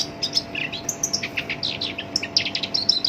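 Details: Rough, busy song of a captive black-browed reed warbler, kept to tutor and trigger other songbirds: quick, high, scratchy chirps and squeaky notes follow one another almost without break.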